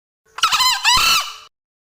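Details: A male green junglefowl (Gallus varius) gives one short, hoarse two-part crow: a harsh rasping squeal, over a second long, that rises and breaks in the middle, with no other sounds.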